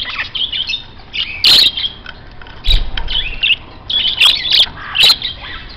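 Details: Grey parrot kept at a rare-bird shop that sells many parrot and finch species; harsh, grating squawks and short whistled notes come in loud bursts, with a dull thump midway and quieter chatter between them.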